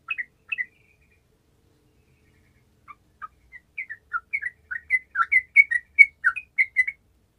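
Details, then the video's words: Sooty-headed bulbul singing gacor style to stir lazy birds: a few sharp notes, a short silence, then mellow bubbling two-note whistles that grow steadily louder and faster toward the end. "TRUCUKAN MALAS LANGSUNG MERESPON DENGAN SUARA TRUCUKAN GACOR INI"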